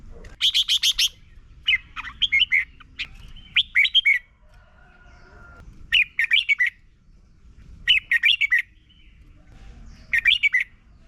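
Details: Song of a Red-whiskered bulbul in Thailand, used to train young birds to copy it. Repeated bursts of rapid buzzy chirps alternate with bright whistled phrases of four to six notes, recurring every one to two seconds over eleven seconds.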